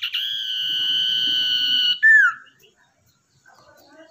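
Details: Tamed wild-caught Common iora kept as a lure bird gives one long level whistle of about two seconds, cut off by a loud descending slurred note, followed by quiet with faint soft chatter.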